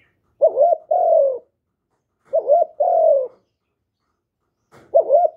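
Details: Spotted dove calling to spur other doves to coo. Repeated phrases of a quick wavering note followed by a longer, smooth, slightly falling coo, about every two seconds, with no background noise.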